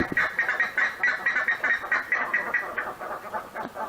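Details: Buff-necked ibis of the Pantanal giving a fast series of harsh, nasal honking notes, about one per second and overlapping, possibly several birds calling together.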